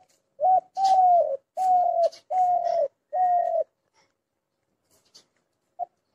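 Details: Spotted dove calling a run of four hollow coos about two-thirds of a second apart, each slightly falling at the end, led by a short note, then silence with a single soft note.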